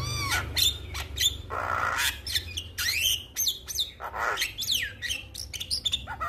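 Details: Male Javan myna calling to other mynas, which reply straight away: harsh grating rasps, sweeping slurred whistles and clicks in a busy, noisy chatter.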